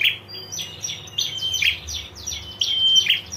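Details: Prinia female calling in ngetir style for male response: brief whistles and buzzy rasps tumbling together, with several overlapping chirps in the background.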